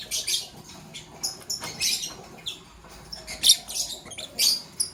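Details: Green Fischer's and pastel blue lovebirds in the morning give sharp, shrill high chirps in short bursts, about one a second and unevenly spaced, over soft scratching and rustling.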